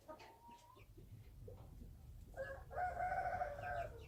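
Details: Wild chicken rooster crowing at some distance, faint clucks and chatter first, then a drawn-out harsh crow in the latter half over low rumble.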